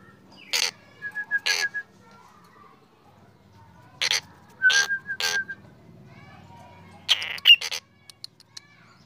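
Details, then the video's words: Black drongo singing in the morning: a few loud rasping bursts, each followed by a short string of beaded whistled notes, separated by gaps of quiet background hum, ending in a harsh burst and faint clicks. "Srigunting hitam gacor"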